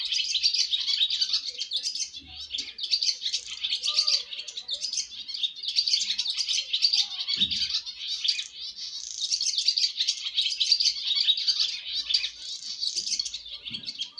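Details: Baby swallows making their first flight from the nest: a dense, continuous twittering of high chirps that overlap and rise and fall in bursts throughout, with a faint low thump near the middle.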